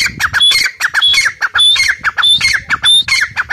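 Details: Grey partridge calling loudly and steadily: grating, squawky notes joined to sharp whistled phrases that slide downward, repeated roughly every two-thirds of a second without pause.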